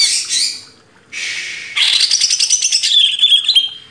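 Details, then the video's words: Greater green leafbird, caged, starting with harsh scratchy squawks, then breaking into a loud, fast run of pulsed chattering notes ending on a clear whistle; a master song for training cage birds. "MASTERAN CUCAK IJO // LANGSUNG GACOR"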